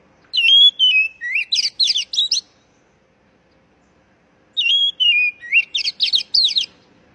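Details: Oriental magpie-robin call for raw, stressed birds that no longer sing: two matching phrases about four seconds apart. Each has a clear whistle stepping down, then a string of fast, bright, chattering notes.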